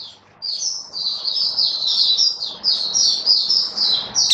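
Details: Oriental white-eye (Mata Puteh, Kitaro type), a kept bird, 27 October 2022: dense, continuous high twittering warble over a steady murmur of background noise.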